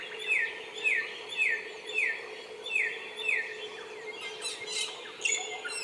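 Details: Bar-winged prinia singing in the wild: a run of about six clear, falling whistled notes evenly spaced about half a second apart, then a busier burst of higher chips at the end.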